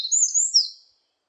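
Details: Eurasian wren giving a brief burst of high, thin whistled notes with a quick slurred ending, lasting under a second and then silence.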